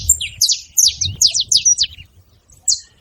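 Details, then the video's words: Saffron finches noisy together: a quick cluster of high, slurred downward chirps in the first two seconds, a pause, then one more chirp, low hum behind. "Canário da terra junto fazendo barulho"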